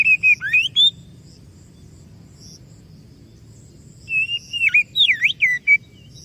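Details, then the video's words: Oriental magpie-robin lure song meant to draw answers from other birds: a brief whistled phrase, a silent gap of about three seconds, then a lively string of sweet whistles and sharp downward-swooping notes. "PANCINGAN BURUNG KACER DIJAMIN IKUT NYAUT"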